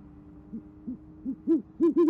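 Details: Nest cam in Oklahoma City, January 2014, evening: a female great horned owl hoots to call her mate and he answers. Three soft low hoots lead into three louder, fuller ones close together.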